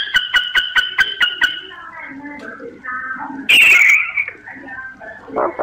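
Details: Myna lure calls for bird survey work: a rapid run of sharp clicking notes with paired tones, followed by lower warbled phrases and a loud harsh burst near the end.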